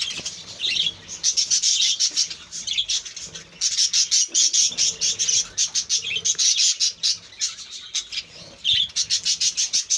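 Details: Captive budgies chattering over a rapid run of dry clicking pulses, with high twittering warbles weaving through the background of the colony.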